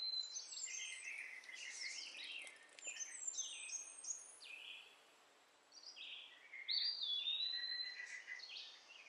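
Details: A young sunbird, a baby found in a backyard and now hand-fed orange and mealworms, gives thin, high chirps and twittering notes in rapid, uneven bursts, several each second, with a short lull midway.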